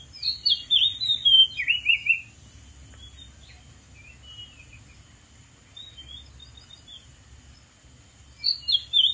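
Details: Oriental magpie-robin in the wild, perched on a dead tree, gives a lively burst of high twisting whistles and rasping notes. A long pause follows before the phrase starts again at the end.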